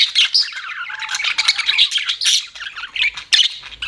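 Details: Pet budgerigars chirp in a brief burst of bright squeaky notes and chattering warbles, loud at the start and then broken into shorter chirps with small gaps.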